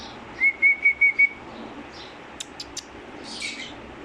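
A black-capped lory whistles five quick, even notes at a steady mid-high pitch, followed by a few soft clicks and a brief breathy rustle.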